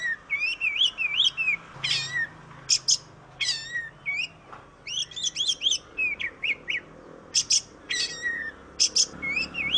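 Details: Oriental magpie-robin from Indonesia in lively varied song: rapid wavy whistles, sharp high chips and falling slurred notes in quick succession, with a faint steady hum behind.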